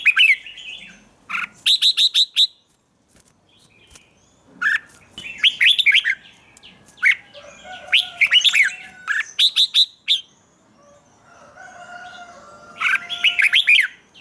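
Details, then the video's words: Red-whiskered bulbul in morning singing training, repeating short bursts of rapid bright chips and rolling warbled phrases every one to three seconds, with soft lower calls from other birds in the background. "Luyện chào mào hót sáng, QUÁ HAY - CHÉ KÍCH BỔI CĂNG ĐÉT, Cách luyện chào mào hót căng lửa"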